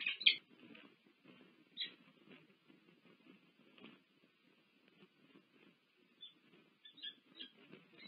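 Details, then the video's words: A pair of peregrine falcons courting at a nest cam at UC Berkeley, USA, on 1 March 2023 give a few faint, harsh, scratchy calls in short bursts, at the start and again near the end, over a muffled rumble. "Sokół wędrowny"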